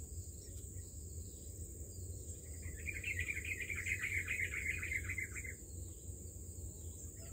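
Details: An albino bulbul at its nest, where birds feed their young, gives a quick chattering run of short mid-pitched notes lasting about three seconds, over a steady high insect hum and a low background rumble.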